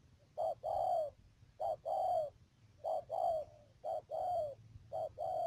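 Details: Spotted dove used as a trapping decoy at Mương Điều, Cà Mau, Vietnam, 12 March 2019, calling in even low coo pairs, each a short hoot then a longer sliding coo, five times in quick succession over a faint hum.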